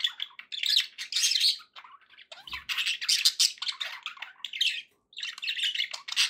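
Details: Pet budgies chattering loudly in continuous harsh, buzzy bursts mixed with squeaky chirps, one short gap near the end, meant to encourage a parrot to eat and sing.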